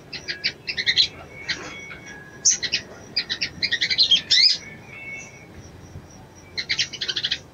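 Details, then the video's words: Female crimson sunbird calling a male to arouse him: repeated bursts of rapid high chips and short twitters, with a squeaky rising note in the middle and a final quick volley after a pause. "SOGON BETINA MEMANGGIL JANTAN‼️SANGAT AMPUH MERANGSANG BIRAHI SOGON JANTAN"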